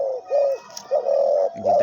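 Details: A captive hunting-decoy dove, thick-voiced, gives low, hollow coos: three drawn-out, even notes in under two seconds with short pauses between them. It calls at the camera and gives runs of nine or ten coos on seeing wild birds.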